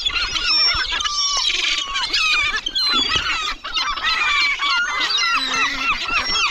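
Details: Many gulls in a cemetery call at once in a dense, overlapping chorus of harsh, squealing notes and sliding cries, with no clear gaps throughout.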